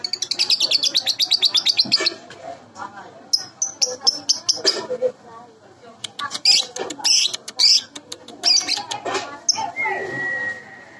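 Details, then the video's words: Baby lovebird sounds played as a lure: a rapid buzzy chatter of high notes at first, then scattered sharp squeaky chirps and clicks, ending with a thin steady whistled tone. "Pancingan Lovebird Baby"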